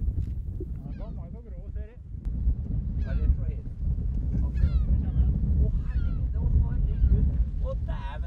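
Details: White-tailed eagle at a nest on Smøla, Norway, in spring or summer, giving a run of harsh, yelping calls, several a second with rising and falling notes, over a steady low rumble of wind.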